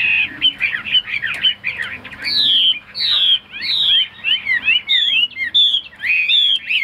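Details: Caged, tame Chinese hwamei singing: loud, rich whistled phrases sliding up and down, with clear rising-and-falling slurred notes repeated in quick succession and brief pauses between phrases.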